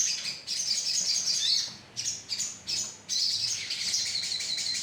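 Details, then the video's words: Sogon bird colony in a lure recording, giving shrill, squeaky twittering in overlapping bursts with short pauses, then a long dense stretch of rapid chirps from many birds. "pancingan suara koloni sogon"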